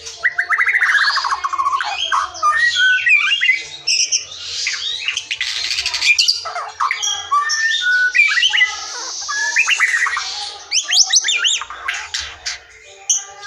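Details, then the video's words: Wild forest white-rumped shama song, used as a lure to make silent or young shamas sing: a rich, varied stream of fluty whistles, rapid warbles, rattling trills and sharp squeaky notes, with few pauses. "SUARA MURAI HUTAN GA ADA LAWAN, SIAP PANCING MURAI BISU DAN BAKALAN"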